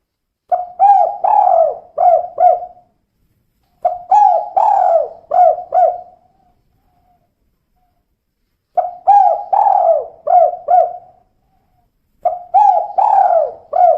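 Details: Female spotted dove repeating its kuk 2 coo phrase four times over fourteen seconds. Each phrase is about five quick, soft hooting notes with a longer falling note near the start, separated by silences of one to several seconds.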